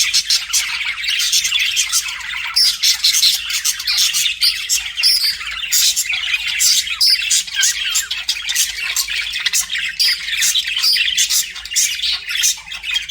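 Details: Several budgies chattering together as pets, a continuous busy warble of clicks, squeaks and rasping chirps with sharp high ticks scattered throughout, steady in loudness for thirteen seconds.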